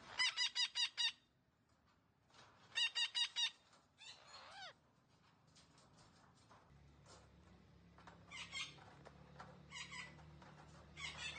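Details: Green parrot talking sounds: two quick runs of ringing, harsh syllables, a wavering squawk, then quieter scattered chatter over a low steady hum.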